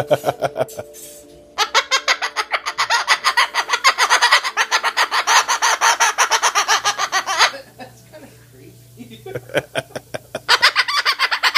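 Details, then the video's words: Pet Moluccan cockatoo indoors giving a maniacal laughing display: rapid repeated harsh pulsed notes, several per second, in long runs broken by short pauses, with a steady background hum and a person speaking briefly. "Moluccan Cockatoo: Chinook maniacal laughter"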